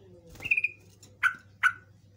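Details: Yellow-vented bulbul (trucukan) lure call, played to draw answering birds: a brief stuttered note run into a level whistle, then two sharp, falling chirps about 0.4 seconds apart, with a quiet low hum behind.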